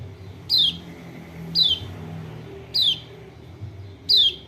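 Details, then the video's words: Kecial kuning, a Lombok white-eye, calling as a lure for a bird that will not sing: four quick, shrill downward-sweeping notes about a second apart, with a low hum underneath. "PANCINGAN TERBAIK BUAT PERANSANG KECIAL KUNING MALAS BUNYI ( burung pleci lombok)"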